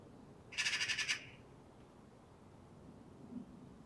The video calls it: The Magpie's Mechanical Calls